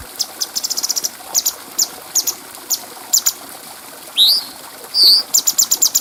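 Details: Bulbul recorded with a clear voice as a tutor track for training other birds. Pulsed high chirp series and spaced ticks are interrupted by two loud, bright whistles, one rising and one looping. A fast chirp run follows.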